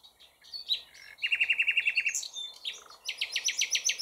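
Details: Common nightingale singing while only partly hidden: a varied phrase sequence with scattered high chirps, then a fast even run of about ten repeated notes, buzzy slurred notes, and a final rapid series of sharp high notes.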